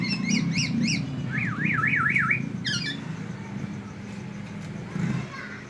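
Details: Black-naped oriole singing in the teler style, delivering phrases copied from the white-rumped shama; quick rising-falling zigzag trill and short repeated notes over a steady low rumble.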